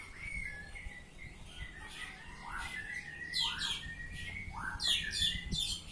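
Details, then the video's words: Oriental magpie-robin delivering ngeplong song: soft whistled notes building into loud sweeping phrases and bursts of rapid buzzy downslurs, repeated several times a second. "Kacer Ngeplong"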